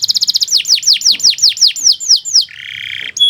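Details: Kenari singing gacor-style, suitable for masteran training: a quick stuttering trill, then about ten clear descending whistled swoops at a steady pace, ending in a sustained buzzy, nasal roll and a final bright note.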